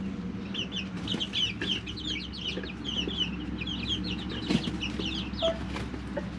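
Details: Three-week-old chicks in a brooder peep busily, bursts of short high descending notes from many birds, with scratching taps and a persistent low hum.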